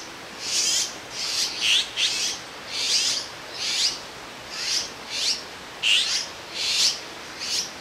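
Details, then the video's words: Young azure-winged magpies out of the cramped nest, sitting in a row on a branch in Jirisan National Park awaiting food from a parent; a steady series of about a dozen harsh, wheezy begging calls. "물까치의 육추"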